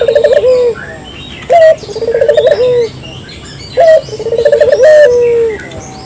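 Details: Puter dove, a local bird recorded clearly for use as a lure: a wavering trilled coo, then an abrupt high note and another rolling coo that settles into a long falling tone. Soft chirps are heard behind it.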